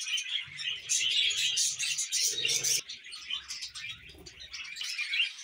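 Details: Pet budgerigars warble in rapid, scratchy chirps that rise and fall in loudness. Low rumbling handling or movement noises can be heard underneath.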